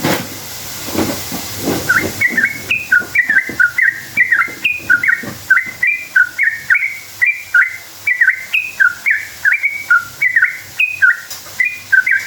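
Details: Sooty-headed bulbul in long rolling song, used as a lure to provoke other bulbuls into answering: a steady run of short liquid whistled phrases, each rising then dropping, repeated roughly twice a second for over ten seconds after a noisy start.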